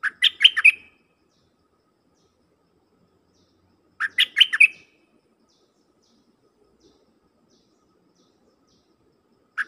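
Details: A dok taeng decoy bird used to call in wild birds gives quick phrases of four or five bright chirps ending in a buzzy, rising note, repeated about every four seconds over near silence.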